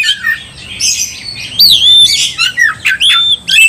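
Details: Kacer (oriental magpie-robin) singing to provoke a rival; soft scratchy start, then loud clear whistles, one long level note and several sharp downslurs in short bursts.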